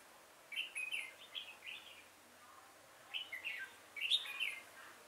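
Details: Red-whiskered bulbul decoy singing during a trapping session on 5 October 2018: two clusters of quick warbled, slurred phrases with a quiet pause between them.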